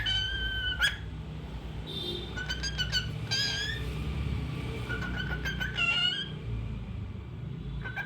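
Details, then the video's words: A singing cockatiel gives a string of short whistled phrases with buzzy chirps mixed in, some notes gliding, against a constant low background hum. "Adorable Cockatiel Crazy Bird 🐦 Cute Singing Sounds"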